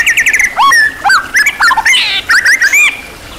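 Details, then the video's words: White-rumped shama of champion class singing a richly filled master song. The performance is varied: a quick burst of rising notes, then long pure whistles, sharp downslurs, a buzzy rasp and further slurred phrases. "MASTERAN MURAI BATU KELAS JUARA SEGUDANG MATERI | MURAI BATU FULL ISIAN MEWAH TERBARU"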